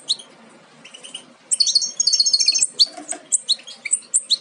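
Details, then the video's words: Young European goldfinches nearly ready to jump from the nest, bred from a Major aminet carrier and an ancestral Parva; quiet opening, then a lively run of high twittering chirps followed by spaced sharp tweets. "Jilgueros casi listos para saltar del nido"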